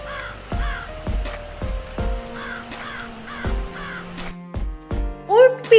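A crow gives harsh, hoarse caws, repeated roughly every half second, over background music with a narrator's voice.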